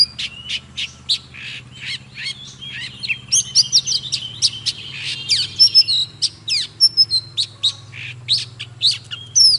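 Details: Oriental magpie-robin kept in a cage, singing hard: opens with a run of sharp clicking notes, then mixed whistles and high slides, then more staccato clicks, over a constant low hum.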